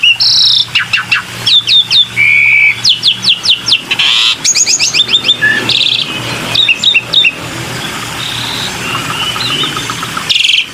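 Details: Black-winged myna calls from a lure recording. It gives a busy sequence of sharp, rapid whistled notes, slurred chips and short harsh squawks in bursts over about ten seconds. A steady low hum is in the background.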